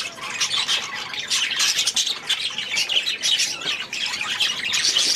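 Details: Aviary budgerigars keep up busy group chatter, harsh squawks and quick twittering notes overlapping throughout, with sharp loud bursts about every half second rising from the steady rasping background of the flock.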